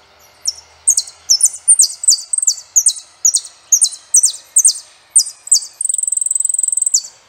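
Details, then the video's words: Saffron finch delivering a long series of piercing, high descending chirps in pairs and singles, finished by a buzzy even trill of rapid ticks lasting about a second. "canto Jilguero Peregrino"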